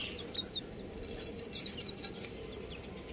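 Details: Chicks peeping in pairs of thin, high, downslurred notes, a handful in all, set against a low constant background noise.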